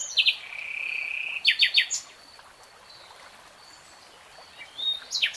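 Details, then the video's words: Nightingale phrase: a few sharp notes and a held whistle, a trio of loud slurred chips, then near silence before a final pair of sharp notes. "BEST NIGHTINGALE SONG 3 Hours REALTIME Nightingale Singing, NO LOOP"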